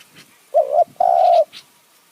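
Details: Spotted dove from a decoy-luring session in high mountain forest near Kanchanaburi, Thailand, giving a single phrase: a quick wavering coo, then a longer smooth drawn-out croo, in a quiet setting.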